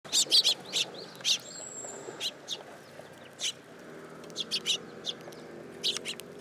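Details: Sparrows coming to perch on a person's hand at a Tenmangu shrine on 8 July 2022. They give short, high chirps in scattered bursts, several in quick succession early on, then spaced single notes over a faint background hum.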